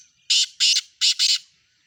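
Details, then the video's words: Black francolin calling: four harsh, grating buzzy notes in quick succession, grouped as two then two, lasting just over a second against a quiet background. "کالا تیتر کی آواز"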